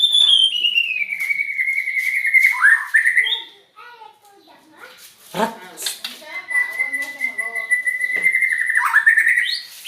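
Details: White-rumped shama with an odd song: a long slowly falling whistle ending in a warble, a noisy stretch of clicks and rustling, then another long steady whistle and a rising flourish.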